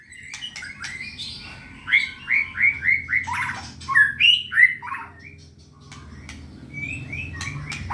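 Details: Caged white-rumped shama readied for contest, delivering a rich song of repeated downward-slurred whistles about twice per second, followed by scratchy bursts and high fluty notes.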